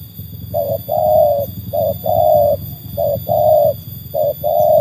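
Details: Spotted dove trained as a cage singer and tested against wild birds: clean rhythmic cooing, each phrase a brief note then a drawn-out steady coo, repeated roughly every second, with faint low background noise.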